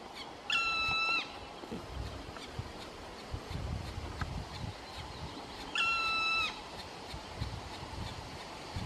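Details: Black Woodpecker at its nest in Maridalen on 4 June 2018 gives two drawn-out, plaintive, ringing calls about five seconds apart, each held steady then dropping slightly at the end, over a low background rumble.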